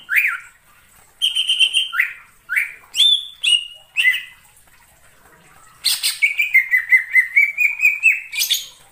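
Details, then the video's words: Greater green leafbird singing in wild forest, phrases of loud looping whistles and short trilled notes separated by brief pauses, ending with a long rapid chattering trill of repeated notes. "suara cucak ijo di alam liar_ijo hutan"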